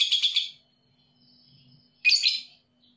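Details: Shrill, harsh chattering burst from a young lovebird fades out; after a silent gap a second rasping, high squeaky burst follows. Recording meant to stimulate lovebirds to call.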